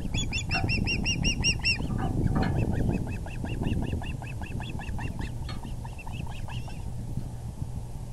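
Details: Osprey at the nest, April 6, 2020 at 6:30pm, as the male delivers a big fish: a fast burst of loud, high chirps, then a longer, softer, lower run of repeated whistled notes fading out, amid rumbling background.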